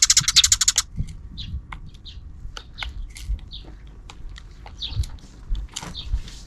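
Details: Afternoon sparrows calling outside the camera frame: a rapid, loud volley of about eight sharp chirps, then a busy, irregular scatter of softer chirps and tweets from several birds.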